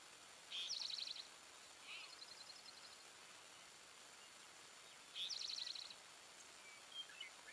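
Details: A bald eagle at Fraser Point, 26 October 2020, from a pair with three chicks, gives two high, thin stuttering chatters, rapid piping notes about half a second long and four seconds apart, over faint outdoor noise.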